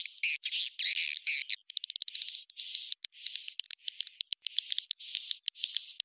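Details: Edible-nest swiftlet lure sound for swiftlet farmers, pitch and tempo raised: a jumble of chattering chirps, then a rapid clicking series, followed by evenly spaced buzzy bursts, each carrying a level whistled tone.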